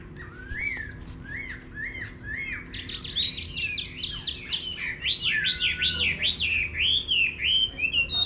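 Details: Chinese hwamei singing in a rural garden: a series of repeated whistled upslurred notes builds into a rapid, loud run of looping, wavering phrases, about three notes per second, over faint low background hum.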